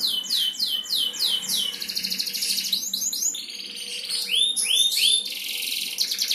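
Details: Champion canary song for stimulating other canaries, featuring repeated downward-sweeping chirps, dense rolling trills and sharp looping whistled notes, high and energetic.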